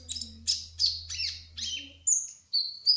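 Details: A speckled kolibri ninja, the brown-throated sunbird, sings rapid high twittery notes with buzzy chattered phrases, then two clear flat whistles near the end. A low droning hum runs underneath.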